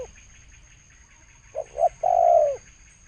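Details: A single spotted dove phrase in the thổ sấm cooing style, 2020: two brief low notes then one long, sliding, downward coo, over a thin steady background whine.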